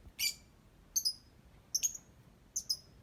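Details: A lovebird singing in short bursts: one harsh raspy note followed by three paired, piercing high chirps spaced under a second apart.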